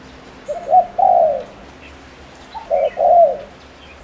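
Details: Ninh Thuận spotted dove used as a lure, Vietnam, cooing at speed to stir up males; two mellow low phrases roughly two seconds apart, short-short-long, the final note broad and gently falling.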